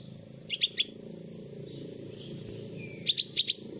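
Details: Hand-reared 16-day-old bulbul (pulangga), rescued after falling from its nest, begging for its mother while practising flight: a group of three bright, high chirps, a pause of two seconds, then four more.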